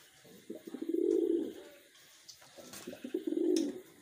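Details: Wild pigeon in a breeder's keeping, making two throaty, pulsing coos that build to a loud, sustained hum and then die away.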